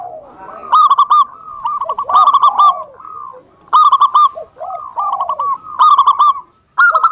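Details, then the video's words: Local zebra dove in full song, used as a lure to provoke rival doves into calling: bursts of clear, rolling coo phrases, several quick stuttered notes ending in a longer note, repeated every few seconds, with softer lower cooing between them. "PERKUTUT LOKAL GACOR UNTUK PANCINGAN EMOSI LAWAN SEMUA IKUT BUNYI"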